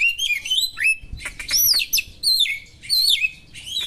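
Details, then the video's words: Kacer (Oriental magpie-robin) singing sharp small-bird 'materi' to arouse other birds; loud whistled slurs and warbles, continuous and varied, with sweeping rising and falling notes. "suara burung kacer materi tajam burung2 kecil,mengungah emosi kacer"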